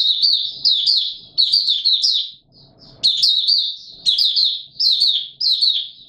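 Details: In warm humid weather on 20 March 2022, a Mata Puteh Raja white-eye sings openly with thin, high, rapid chirping phrases, pausing briefly once while a soft rustle is heard.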